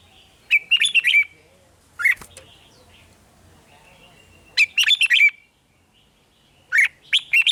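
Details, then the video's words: Rik-style song from a caged red-whiskered bulbul in Thailand: rapid phrases of four or five liquid whistled notes, with a lone note between them and a faint low hum in the background. "เสียงนกกรงหัวจุก ร้อง ริก เปิดให้นกฟัง ยั่วให้นกคึกจัด"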